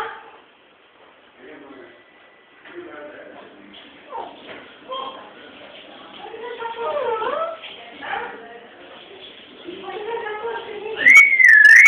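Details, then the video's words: Talking parrot producing speech-like mimicked phrases, then a bright rising and falling warbled whistle at the end, over a faint background. "Talking Parrot"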